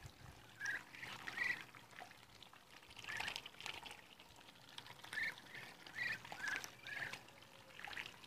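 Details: A group of Muscovy ducks at 52 days old giving brief, high peeps in small clusters about every second or so. Bursts of splashing, trickling water run beneath the calls.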